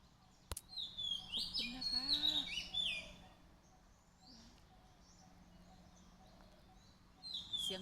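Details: Birds calling near a temple: a burst of high, thin, squeaky chirps and short whistled slurs for about two seconds, then quiet with a few faint notes and another chirp at the end, over low background noise.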